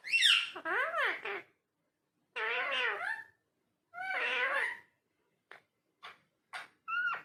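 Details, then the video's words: Parrot talking indoors with long wavering, meow-like phrases that swoop up and down, then a few short clicks and a brief two-note whistle at the close. "Talking Parrot"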